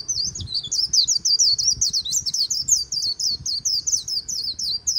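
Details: By the Kỳ Cùng riverbank, a white-eye delivers "líu" song: an unbroken, rapid stream of thin, high warbled slurs, rolling and lilting, steady in loudness, faint low rumble beneath.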